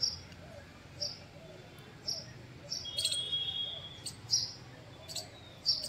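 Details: House Sparrow in a garden during bael fruit harvesting, a bird whose numbers are said to have vanished locally; short bright chirps repeated about once a second, with soft music and a low hum underneath.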